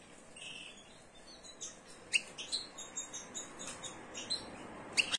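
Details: European goldfinches mating in a cage, giving short high chirps and twittering notes, irregularly spaced and sharpest near the second and fifth seconds, against a quiet indoor background.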